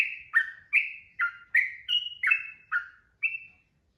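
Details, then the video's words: Short stretch of lively 'ropel' song from a yellow-vented bulbul: about eight clear, chirpy downslurred notes in four seconds, with the last one a flat whistle, on a quiet background. "SUARA TRUCUKAN GACOR 2026 ROPEL PANJANG"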